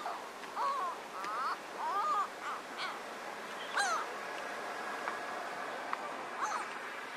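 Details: Mediterranean gulls in the Ebro Delta, Spain, in August 2015. Several nasal, bending calls rise and fall in quick succession, coming from more than one bird, over a steady rushing background like surf.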